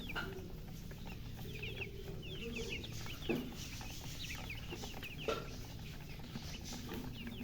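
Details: Chicken chicks thirsty for drinking water chirp in a steady stream of short, high, downward-slurred peeps, several overlapping, over a constant low rumble.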